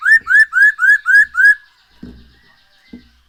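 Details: Black-throated laughingthrush singing, a recording meant to encourage birds to sing: six evenly spaced, rising whistled notes in quick succession, followed by soft knocking sounds.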